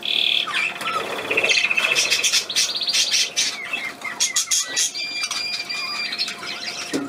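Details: Small bird recorded on 31 May 2020, making a quick buzzy trill and chattering chirps, followed by thin, drawn-out whistled notes amid soft rustling.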